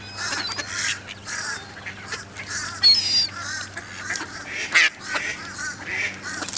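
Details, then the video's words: Feeding ducks at the Newburgh waterfront in November 2014, 55 F; scattered raspy quacks from several birds, with brief thin high whistles and a steady low hum in the background. "Ducks 11-23-2014 Newburgh Waterfront feeding"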